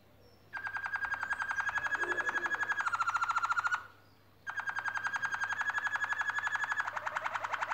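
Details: Nest-building canaries singing a long rolling trill of fast, evenly pulsed whistled notes, held steady then dipping slightly in pitch. A short pause follows before an identical trill resumes.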